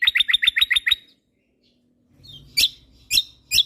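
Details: Lombok white-eye (kecial kombok), a tutor recording for songbirds: seven quick high chirped notes in a row, silence, then three separated sharp high chips spaced about half a second apart.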